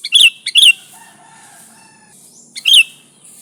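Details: Sooty-headed bulbul singing vigorously, used to lure bulbuls: two quick chirps close together, a pause filled with faint level whistles, then a third bright chirp, with a high background hiss.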